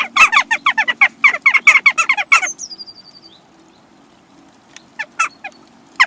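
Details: Western jackdaws arriving as a hungry group at a bird feeder in Recke, Germany, on 22 April 2021; a rapid run of loud, harsh repeated chak calls for two and a half seconds, a thin descending whistle, then scattered single calls.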